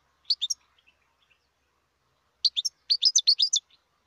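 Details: Wild goldfinch song from 2020: a few quick high chirps, a long silence, then a dense burst of bright, tumbling twittered notes lasting about a second.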